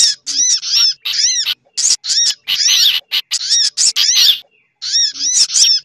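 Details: Sunbird lure mix combined with other birds' lure sounds: about 43 sharp arched chirps a minute in irregular bursts, ringing and high, with a short pause near the end.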